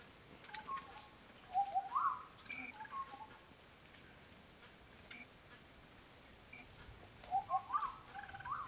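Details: Racket-tailed Treepie in Thailand on 31 May 2019 gives short, clipped, mid-pitched notes in quick clusters, then a quiet gap and another burst, over a steady background hiss.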